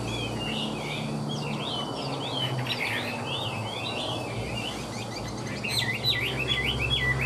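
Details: Caged Chinese hwamei with fanned tail and flicking wings, singing strongly: a rich, continuous run of varied slurred whistles and quick swooping phrases, growing louder and busier near the end, over a steady low hum.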